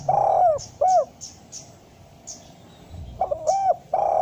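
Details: Spotted dove giving soft, low coos in brief groups, one drawn-out note and short follow-ups, with scattered thin high chirps from other birds in the background.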